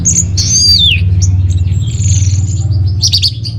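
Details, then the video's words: An orange-headed thrush phrase used as lure and master song for caged birds: a long, high whistle sliding downward, then soft faint notes and a short burst of high chatter over a low hum. "Bikin Geger ANIS MERAH Dirumah Pasti Gacor || Pancingan sekaligus Masteran Burung Punglor"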